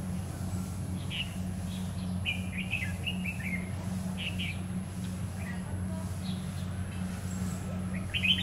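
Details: Red-whiskered bulbul recorded during trapping with a lure bird on a stormy afternoon, 9 September 2019: short bright warbled phrases, faint and spaced, over a steady low electrical hum and a continuous high whine.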